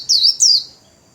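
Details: Caged Japanese white-eye giving a brief líu song with wings spread: two loud, high, slurred notes, each dropping in pitch, then silence.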